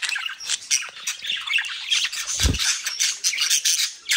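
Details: Budgerigars from a breeding group in South Holland, Netherlands, give harsh overlapping squawks and grating chirps in an unbroken stream, with one soft low thud partway through.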